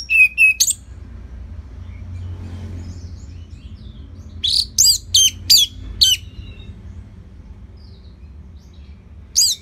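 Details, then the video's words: Orange-headed thrush song played for training other birds: short bursts of high, sharp whistled notes, a quick group at the start, then five spaced notes about one per second, with quiet pauses between. "Kicauan ANIS MERAH Gacor Selow"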